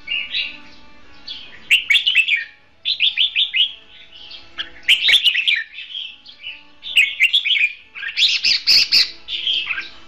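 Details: Red-whiskered bulbul kept caged as a decoy for trapping, singing competitively in dense runs of rapid chirpy warbled notes, phrases strung closely together with few pauses.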